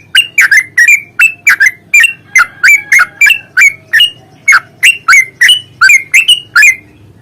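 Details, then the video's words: A Yellow-vented bulbul delivers a continuous fighting song, 'ropel panjang' style, used to provoke singing: about twenty-five quick, bright, bubbly notes with sliding pitch, each rising and falling, tumbling out almost without a break. "trucukan gacor tarung ROPEL PANJANG pancingan trucukan agar bunyi"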